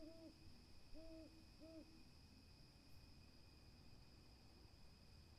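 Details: Owl hooting at night: three short, soft, low hoots with a slight rise and fall, packed into the first two seconds, then quiet. A steady high insect-like drone and low rumble run throughout.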